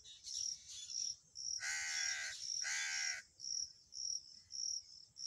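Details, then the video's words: Black francolin calling by a river corner: two harsh, harmonic-rich notes about a second long each, set against a steady, pulsing high insect chorus. "Black francolin voice on River corner"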